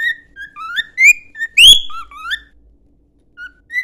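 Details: A cockatiel whistles a training tune, quick upslurred and level notes in a bright phrase with one loud burst, then near silence before a final short whistle.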